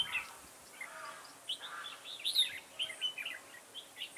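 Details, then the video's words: Decoy red-whiskered bulbul, described as the boldest bird in the garden, heard during trapping on 9 October 2017: a jumble of overlapping chirpy, warbled notes, fairly continuous, with faint background hiss. "Bẫy chào mào Đầu gấu nhất vườn"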